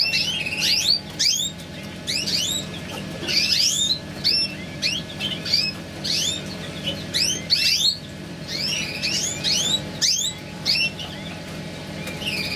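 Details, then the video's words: Mosaic canary during mating, giving short bright chirped and swept notes in loose bursts of two or three, with brief pauses between phrases, over a steady low hum and faint background rustle. "تزاوج كناري موزايك Mosaic Canary"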